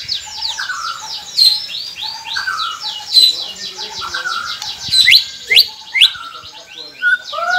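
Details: White-rumped shama song used to prompt silent captive birds to sing: dense fast chattering notes over lower whistles, with sharp high accents, busy background of similar calls.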